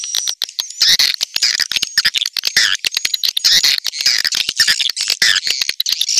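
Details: Swiftlet calls played to attract swiftlets, a recording style known as putri selatan: dense overlapping twittering and squeaky chirps, many birds at once, continuous and rapidly pulsed throughout.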